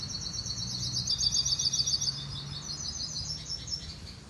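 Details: Hooded siskin song: a bright, high-pitched run of rapid repeated chirping notes, about five per second at its peak, trailing into softer twitters, with low background hum.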